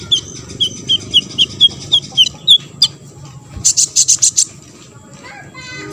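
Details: Olive-backed sunbird song, played to provoke other sunbirds into singing: a quick run of short, sharp high notes at an even pace, then a burst of five or six buzzy, hissing notes, with faint background music.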